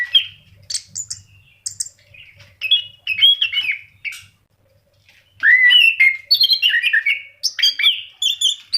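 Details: Orange-headed thrush song for prompting pet birds to sing: scattered high whistles and chattering notes at first, then after a pause a loud run of rich, slurred whistled phrases.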